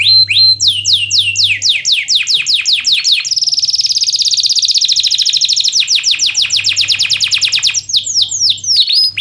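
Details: Gacor canary, used to coax lazy canaries into singing: descending whistled sweeps, a long fast buzzy trill in the middle, then more falling notes and a final flourish; low hum in places.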